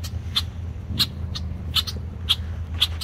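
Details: Red-winged blackbird male guarding its nesting area from nearby kayakers; rapid, uneven series of hard chack notes, some doubled, about two per second over a steady low hum.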